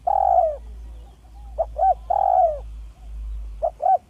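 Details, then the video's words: Village spotted dove giving a smooth, clear lure call: two quick short hoots, then a long mellow coo that slides downward. The phrase comes twice, with low hum underneath. "Dekukur kampung yang gacor || SUARA HALUS DAN JERNIH PEMIKAT ANDALAN"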